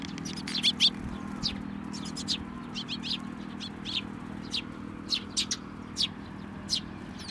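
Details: Sparrows arriving for food and feeding chicks at a Tenmangu shrine, 22 May 2024; busy, irregular stream of short, high chirps and twitters with a low background hum.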